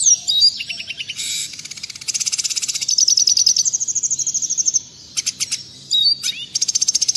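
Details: Red siskin tutor song for caged birds: pulsed high trills and a sustained buzzy twitter, briefly pausing, then resuming with repeated ringing notes and a falling slur.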